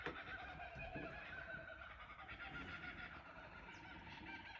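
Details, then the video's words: Chorus of several kookaburras recorded from a cottage verandah at Ballandean: dense, overlapping raucous cackling with rapid pulsing notes layered into a continuous din. "Kookaburra sounds"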